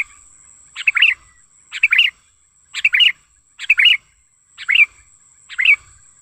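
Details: Sooty-headed bulbul lure call from a natural, lively wild bird, meant to attract and tutor bulbuls: rich warbled two-part phrases repeated roughly every second, clean background with only a faint high tone.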